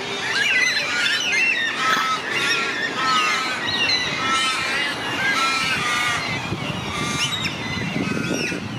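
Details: Many Carnaby's black cockatoos calling together in Western Australia: overlapping wavering, nasal squealing cries, some with short level tones, heard continuously over steady low rumble.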